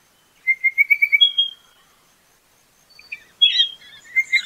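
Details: Pardalote calling with a run of quick, high, evenly spaced chirps, then a pause before a thin whistle and a further burst of sharp, high notes near the end; no other sounds.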